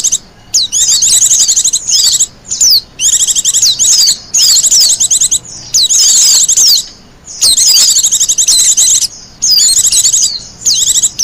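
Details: Wild Japanese white-eye, recorded for luring and as a master song, delivering repeated bursts of fast, high-pitched twittering phrases with downslurred whistles, each burst lasting about one to two seconds with brief gaps.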